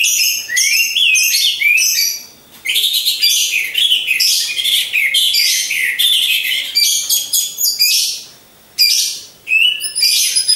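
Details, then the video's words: Orange-headed thrush kept in a cage and hung in a row with others, singing a lure song: rapid bursts of shrill, varied whistles and twittering phrases broken by short silences. "Pancingan Burung Anis Merah"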